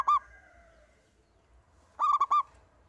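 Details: Local zebra dove, a lone bird used to draw song from others, one clipped note at the start, then after a pause a quick cluster of four hooting notes.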